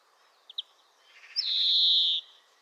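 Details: European greenfinch (Chloris chloris) singing: two short ticks, a brief stuttering trill, then a long, even, nasal wheezing note.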